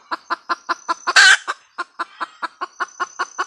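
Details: Female red junglefowl cackle, evenly spaced clucks about five a second with a single loud raspy squawk near the middle, over a faint steady high-pitched hum.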